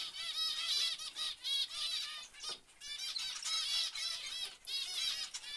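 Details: Zebra finches give clear, nasal, toy-trumpet-like beeps, each one rich and stacked, repeated in quick runs broken by short pauses.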